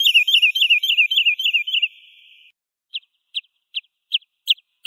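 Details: Wood sandpiper (Tringa glareola) giving a rippling string of looping whistled notes for about two seconds, followed after a brief gap by single sharp high notes spaced about every half second.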